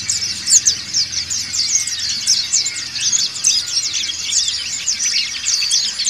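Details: Many dakun and montanus white-eyes singing ngriwik together for training: a continuous shrill chatter of rapid, sharply flicked notes, dense and overlapping across the whole stretch.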